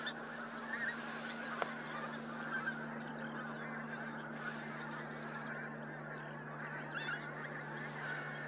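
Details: A large flock of pink-footed geese at Starene in 2023 keeps up a dense, continuous chorus of overlapping honks and higher yelping 'wink-wink' notes, over a steady low hum.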